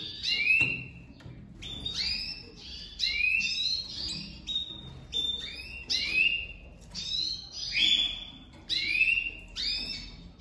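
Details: Domestic canary breeding pair for 2023, just put together, with the female crouching for the male; a steady series of rising, slurred chirps, each group about every one and a half seconds, repeated about eight times.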